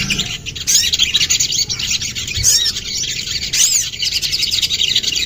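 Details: Common iora singing for bird training: steady high-pitched twittering, with three clear slurred whistle phrases that rise then fall, spaced about a second apart.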